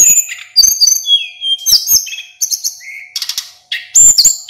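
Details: Local mountain sulingan, a male in full, continuous rolling song: rich whistled phrases jumping between high and low pitches, with buzzy trills and short chirps, broken by brief pauses.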